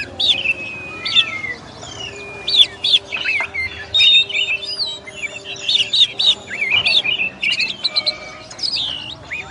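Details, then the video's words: Kacer, the oriental magpie-robin, singing sweet whistled and slurred phrases mixed with clicks, alongside a long steady tone and low background hum. "SUARA BURUNG KACER"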